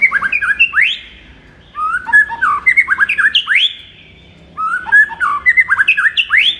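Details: Kept White-rumped shama morning song for firing up another shama: three bursts of rapid, varied whistles and sweeping upslurs, each about a second long, separated by short silences.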